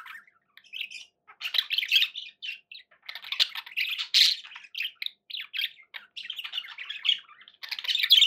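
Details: Domestic budgerigars twittering continuously, with rapid high chirps, buzzy warbles and occasional harsher squawks that run together into a busy, chattering flow with only brief gaps.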